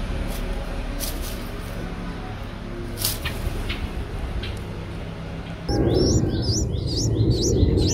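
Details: Streak-eared Bulbul nestlings, eight days old, eyes opened a day earlier, Ubon Ratchathani, Thailand, 10 April 2023; quiet background with faint high ticks, then a loud burst of high, looping squeaky calls in quick succession near the end.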